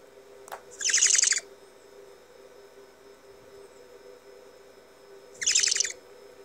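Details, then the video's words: Young great horned owl expressing displeasure on 3/14/19 with two harsh, hissing screeches, each about half a second long and four seconds apart, over a steady low hum. "young great horned owl expresses displeasure"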